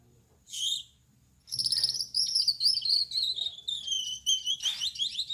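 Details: A male Gouldian finch, yellow-backed, red-headed and white-chested, sings energetically after dark: a short rasping note, a pause, then a sustained thin, buzzy, quavering trill with scratchy bursts, over a soft low hum.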